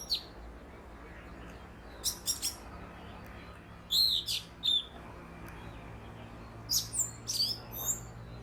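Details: A sitting orange-headed thrush gives long calls mixed with mimicry of other birds: clusters of high, sharp, varied notes in short bursts every two to three seconds, over a faint low background hum.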